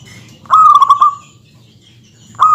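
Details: Zebra dove, local perkutut, singing to provoke rivals: one rolling phrase of fast pulsed coos ending in a long held note, then another phrase starting at the end.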